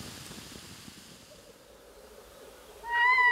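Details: At about 1 a.m. on a short summer night, a red-throated loon calling on a lake gives a loud, nasal, wavering wail near the end, cut off after half a second, after near silence with faint ambient hiss.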